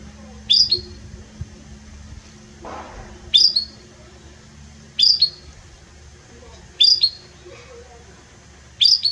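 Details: Belgian canary, described as singing strongly and very warmly; here only short, sharp chirped notes come every one to two seconds, separated by quiet pauses over a low background hum.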